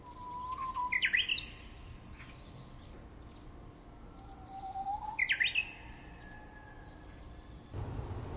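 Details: Two song phrases from a bush warbler, about four seconds apart. Each is a soft held whistle followed by a loud, tumbling upward flourish. Faint other bird notes and a short burst of rough noise at the very end.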